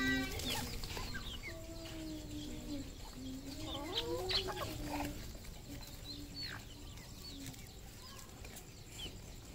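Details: Red junglefowl kept on a Cambodian farm, several birds calling: soft peeping notes and short clucks overlapping, with scattered sharper chirps and a low background hum.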